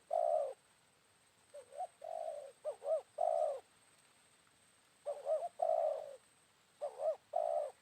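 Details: Midday calls of a wild spotted dove replying to a decoy during trapping, after a rainy morning. Around four phrases of two looping notes plus a long purring coo, some louder and some softer, are heard against a calm background.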